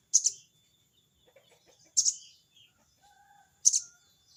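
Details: Sogon bird provoking a rival with crecet cerecet calls: three scratchy, high, double-pulsed chirps spaced roughly two seconds apart, faint softer notes in between.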